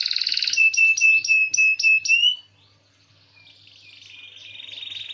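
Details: Canary song used for training other songbirds: a loud run of rapid repeated sweeping notes, then a pause, followed by softer sustained high trilled notes building up again.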